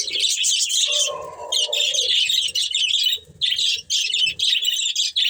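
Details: Budgerigars, a breeding pair, keep up a busy high chatter of buzzy warbles and squeaky chirps. A brief lower, nasal note rises near the start, and short pauses break the flow.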